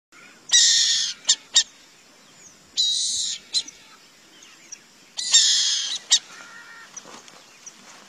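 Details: Loud, coarse screeching rasps from a burrowing owl, three long hissing bursts each trailed by one or two clipped harsh notes, repeated across the recording with faint birdsong behind.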